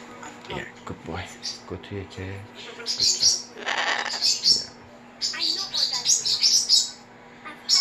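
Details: Pet umbrella cockatoo indoors, said to imitate its owner's stomach noise with a "Hiiii". A man speaks softly at first, then the bird gives a run of loud, harsh, high screechy calls in bursts, with brief pauses between.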